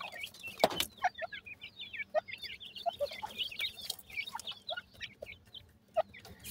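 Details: Partridge chicks being fed, described as yellow: dense, rapid, high chirping peeps, many overlapping, with occasional lower clucking notes and a sharp click near the start.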